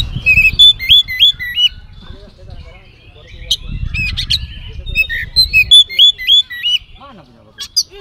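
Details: Oriental magpie-robin in full song packed with mimicked phrases, used as a lure to get other magpie-robins to answer: bright whistled notes with repeated hooked upslurs, quick chips and trills, over patches of low rumbling noise.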